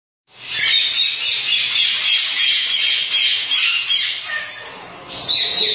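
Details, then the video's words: Lutino Alexandrine parakeet, from a breeding pair: loud, harsh, bright and grating squawks in a steady rapid stream, with a sharper burst near the end. "Lutino Alexandrine parakeet"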